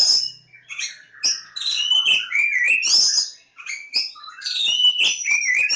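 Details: Oriental magpie-robin of the Javan form, Lebakgowah, pouring out a fast, varied song of high whistles, descending slurs and crisp clicks in close succession.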